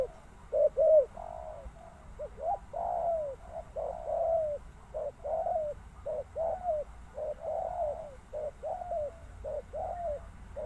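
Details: Low cooing from a spotted dove, overlapping and uneven, with longer drawn-out coos and softer paired notes spread through the clip, suggesting more than one calling bird.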